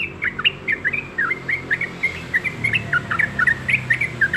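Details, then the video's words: Yellow-vented bulbul, known locally as trucuk, singing busily: quick, bubbly phrases of short warbled and slurred notes in a mid-high register, tumbling on almost continuously without pause. "TRUCUK YG RAJIN BERKICAU"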